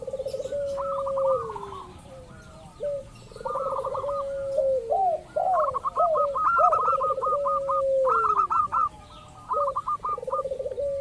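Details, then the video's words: Local zebra dove lure recording, meant to set off other doves: long trains of fast staccato notes layered over drawn-out, falling, gurgling coos, with several doves overlapping. "pancingan burung perkutut lokal ampuh , perkutut lokal jago memancing lawan bunyi"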